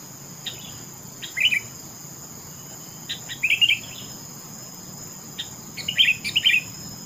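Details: Sooty-headed bulbul singing short bubbly whistled phrases around three separate moments, the last a double phrase, over a steady high insect-like drone and faint low background hum.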